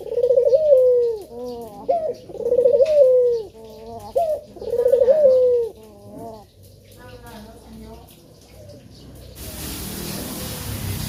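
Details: Male spotted dove coos to lure other birds into song: three rolling, falling phrases in quick succession, then softer broken notes fading out before a burst of hiss.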